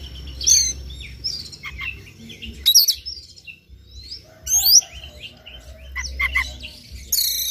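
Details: White-rumped shama singing in the morning, meant to spur another bird to sing: varied loud whistled flourishes, abrupt high sweeps and chattering notes in separate bursts over a faint low hum.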